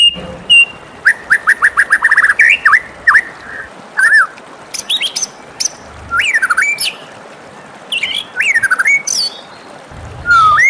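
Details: Morning song of a white-rumped shama: a quick series of falling whistles, then spaced phrases of rising and swooping notes mixed with high buzzy chips and brief pauses.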